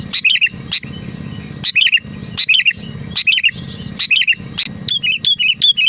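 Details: Lively song of a Sooty-headed bulbul, played to coax other bulbuls into song: quick, regularly repeated bright chirping phrases, about seven in six seconds, over a faint low drone.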